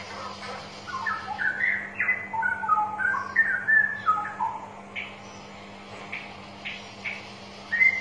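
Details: Straw-headed bulbul singing, played to encourage reluctant birds to sing: a burst of bubbling, cascading whistled notes in quick succession over about four seconds, followed by scattered short chips and a final rising whistle.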